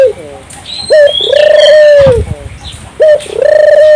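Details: Gacor Barbary dove whose cooing is meant to stimulate local doves: two long low even coos, each led by a short note, with a brief rustle and distant chirps between.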